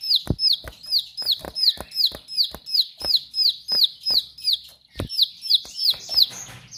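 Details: Sharp 'nembak' song of a Bar-winged prinia: a long, rhythmic run of high, falling whistled notes at close to three per second, with crisp knocking clicks and a brief scratchy jumble near the end.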